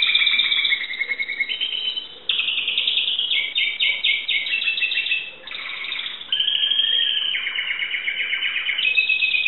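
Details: Greek Timbrado canary singing a long varied song of rolling trills, stepped phrases and clear whistled tours, with two brief pauses between sections.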